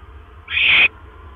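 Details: Barn owl at the nest at 1:09 AM on 12 October 2015 as the male delivers another mouse; one harsh, hissing screech lasting under half a second, then quiet with a low hum.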